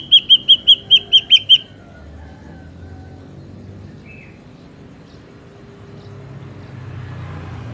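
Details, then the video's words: Wild ashy drongo recorded as a trapping lure: a quick burst of eight ringing, evenly repeated whistled notes, then silence from the bird while faint traffic noise fills the rest. "SUARA BURUNG SRIGUNTING ABU ASLI SUARA ALAM"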